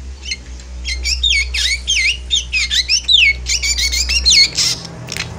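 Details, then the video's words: Javanese black drongo in full emotional chattering song, offered as a lure for moulting birds; a dense string of looping, slurred whistles swooping up and down, nearly continuous for four seconds before fading, with a steady low hum beneath. "Kacauan Penuh EMosi Srigunting Hitam Jawa"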